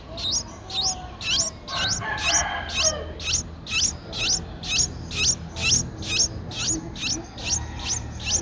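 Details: Nine-day-old Streak-eared Bulbul nestlings, eyes opened at seven days, in Ubon Ratchathani, Thailand, 11 April 2023; very regular high squeaky calls repeat about twice a second, a brief rustle near the second and third seconds.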